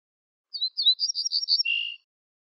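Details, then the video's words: An ortolan bunting sings a brief strophe: about eight quick, bright, high notes in an even run, closing on one lower, sustained note. Quiet surroundings. "شريط تغريد طائر البوح الفاسى"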